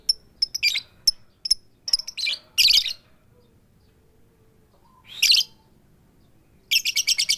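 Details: Female lovebird summoning the male: a string of quick high tik clicks leading to harsher squeaky keyok bursts, a pause, another burst, then a rapid run of pulsed chirps.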